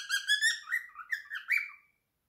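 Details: Pet cockatiel, a male aged three, singing his favourite song indoors: a short run of harmonic whistled notes sliding upward, ending in a rising whistle before falling silent.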